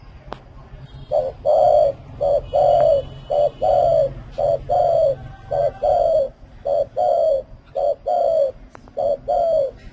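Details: Repeated coos of a spotted dove, short and long mellow notes alternating steadily in quick succession, with a soft hum and a faint click near the start.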